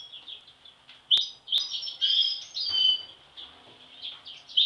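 European goldfinch giving a run of quick, bright, tinkling twitters and liquid chirps, high-pitched and almost continuous, with two sharp clicks early on.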